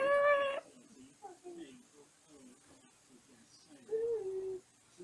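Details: African grey parrot beside its cage at bedtime, settling down in its usual routine: a loud harmonic whistle opens, then soft low muttering babble, and a second clear whistled note near the end, indoors in a small room.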